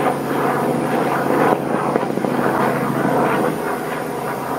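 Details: Loud, continuous engine drone of a passing aircraft, with a steady low hum and no other sounds standing out.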